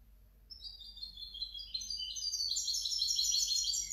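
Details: Hybrid European goldfinch song: a fast, twittering stream of high, bright notes and trills that starts after half a second and grows louder and denser through the rest of the clip.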